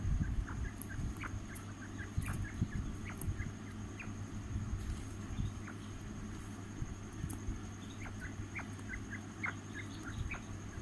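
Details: Fighting quail, a bird kept for fights, giving short high chirps scattered through the recording in loose runs, over a steady low rumbling hum and occasional clicks.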